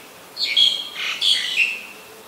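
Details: Black-collared starling calling on a rainy day, 15 October 2021, in Ubon Ratchathani, Thailand: two bursts of harsh, chattering, squeaky notes, high-pitched with scratchy overtones, the second burst slightly longer, over a quiet background.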